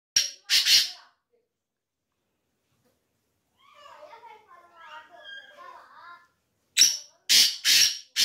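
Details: Black francolin calling: loud, harsh, rasping bursts, two at the start and four near the end, with softer, faint warbling sounds in the quiet gap between.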